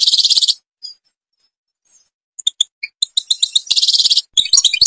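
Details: European goldfinch, Algeria: short buzzy trilled bursts and scattered high chips separated by silent gaps, building into a denser run of metallic twittering.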